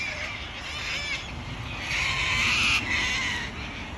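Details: Australian wild cockatoos screeching, a nearly continuous harsh, rasping outburst that swells loudest toward the end, with faint low rumble beneath.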